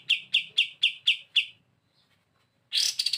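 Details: Kapas tembak tutor song: six loud, evenly spaced chirps, a pause, then the start of a rasping falling rattle, in the bren beset style.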